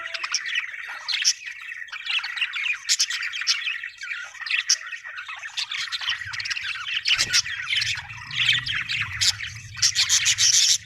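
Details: Happy budgerigar chirping, a long stream of busy twittering and squeaky chatter with occasional sharp louder chirps; a low rumbling background noise joins in the second half.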